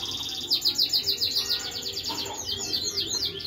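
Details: Finch and siskin hybrid mule singing a rapid, steady run of high twittering notes, repeated chirps about every few tenths of a second followed by sweeping downslurred warbles.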